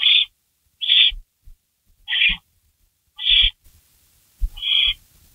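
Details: Barn owl in the nest at 3:53 AM on May 16 2012 while a rabbit is delivered and torn apart. Five raspy, high screechy calls about one second apart, with scattered thumps and a faint hiss toward the end.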